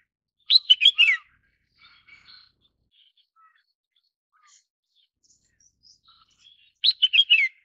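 Red-whiskered bulbul giving two bursts of bright, chirpy notes about six seconds apart, with faint softer calls in between.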